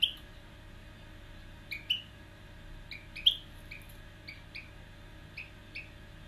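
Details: A young female European goldfinch practising song ("haciendo primaveras") gives short, bright, high chirps, singly and in pairs, every half second or so, over a soft low indoor hum.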